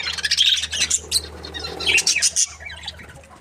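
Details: Australian budgie breeding pair gives a short burst of bright, trilling chirps and scratchy chatter that fades out after about two and a half seconds, with a low hum behind.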